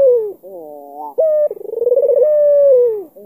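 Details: A black-collared albino Barbary dove coos to challenge a rival. A falling tone, a brief rising note, a quick stuttering roll, then a drawn-out steady coo that slopes down at the end.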